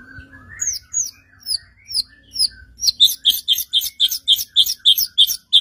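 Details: White-rumped shama singing to provoke other shamas; a low whistle, then upward-slurred high notes, then a fast series of sharp repeated chip notes about four per second.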